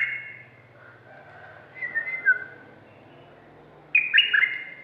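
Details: Red-whiskered bulbul, a caged decoy bird praised for its fierceness, gives clear whistled notes with falling slurs, then an abrupt louder burst of rising and dipping whistles over a faint low hum.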